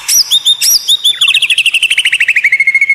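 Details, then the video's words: White-rumped shama singing rare, odd tutor song to stir up rival birds: a few high looping notes, then a long rapid trill of repeated short notes that gradually drops in pitch. "Masteran murai batu Suara Aneh unik langka bikin lawan ngamuk sambar materi"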